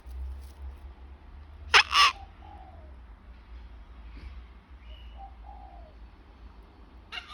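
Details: Sulphur-crested cockatoo giving two short, harsh, raspy screeches in quick succession near the start, then near silence with a few faint, thin notes from other birds and a low background hum.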